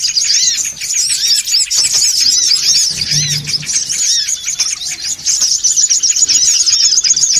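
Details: Songon otong birds in a lure recording meant to gather others: dense, high, chattering chirps and curved squeaky notes, steady and crowded, with a brief low hum.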